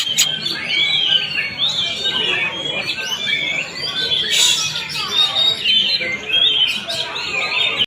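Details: Greater green leafbird song: a continuous jumble of slurred whistles, squeaky notes and harsh chatter, with no pauses.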